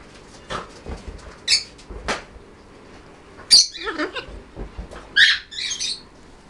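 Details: A pet blue-and-yellow macaw named Alex gives two short bursts of harsh, raspy squawks with a wavering tone, after a few soft taps and knocks.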